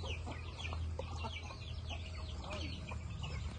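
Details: Morning chickens recorded live, a flock clucking and chattering in short overlapping notes, with one drawn-out call midway, over a steady low hum.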